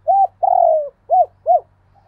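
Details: Spotted dove cooing in a pair: a short arched coo, a long falling coo, then two short arched coos, all clear and loud, with a faint low hum beneath.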